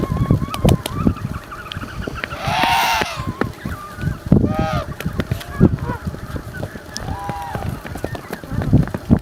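African penguin giving hoarse, honking bray-like calls in a few separate bursts, one long drawn-out note among them, over steady low wind or surf rumble.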